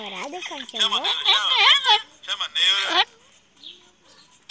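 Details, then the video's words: Talkative pet parrot that loves coffee, mimicking speech in a burst of squeaky, wavering, word-like syllables for three seconds, then falling mostly quiet with a faint murmur and a final click. "PAPAGAIO FALANDO QUER CAFÉ"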